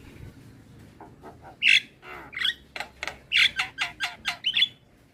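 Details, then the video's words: Black-winged myna song played as a lure to get a silent bird singing: a few soft notes, then a burst of loud, harsh squawks and rasping notes in quick succession. "Pancingan Dan terapi Burung Jalak Kebo Malas Bunyi Sekali Putar Langsung Nyaut"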